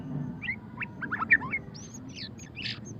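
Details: Brief ngeriwik-style song of a white-rumped shama (murai batu pastol): a few upslurred chirps and quick twisting notes, then higher, fainter whistles, with low rumbling background noise.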